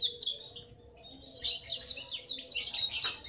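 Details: Juvenile male black-throated canary in ngriwik chatter, the long rolling sound that reveals it is male; quick high chirps, a short quiet gap, then a busy run of sliding twitters.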